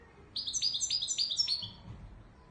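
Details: Goldfinch song of the Widani Marrakchi type from Morocco, a lively burst of thin, high chirps repeated rapidly and evenly for about a second and a half, then fading, with faint low noise behind.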